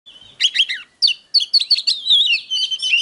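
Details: Oriental magpie-robin singing in the continuous 'déo' style, used as a training file to stir up wild-caught birds and provoke them to fight: buzzy chattered notes, then a run of bright, sliding whistles with short breaks, no other sounds.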